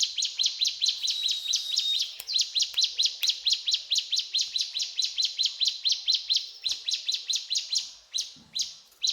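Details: Ciblek gunung (mountain tailorbird) in full cetrakan song, opening with a thin high whistle and then rattling off steady, sharp, high repeated notes with few pauses.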